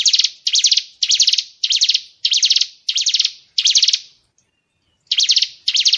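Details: Tembakan phrases of a white-rumped shama (murai batu), recorded as training material for songbirds: seven quick shrill chattering bursts about every half second, a short gap, then two more bursts.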